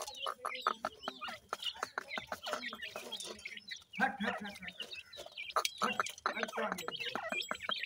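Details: Teetar chicks (grey francolin) being fed: dense sharp clicks and taps mixed with quick high chirps and short clucking notes from many young birds at once.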